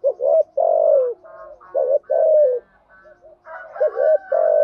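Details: Lure spotted dove cooing in the urging and calling styles meant to rouse decoy birds: deep, mellow coos in quick clusters, a short note followed by a longer, slightly dropping one, repeated several times.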